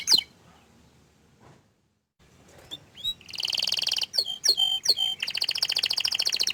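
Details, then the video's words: Canary begins after a quiet start with one sharp whistle, then breaks into descending swept notes and a fast, steady, high trill. "Suara Kicauan nya Mantul Sekali tapi Sayang Kenari ini Malu Menunjukan Wajahnya"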